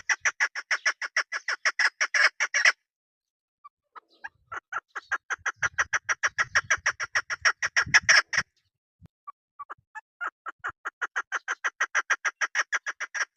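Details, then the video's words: Female chukar partridge call favoured by hunters: three bursts of fast, harsh chuk-chuk notes separated by short gaps, with scattered single clucks and faint low rustling between bursts. "شکاری مادی آواز"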